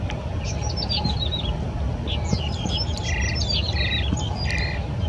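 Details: Yellow-bellied prinia recorded 14 April 2017 in Yingfeng Riverside Park, Keelung River: scattered bright chirps, then three repeated buzzy, nasal bursts about every 0.7 s near the end, with constant low background rumble.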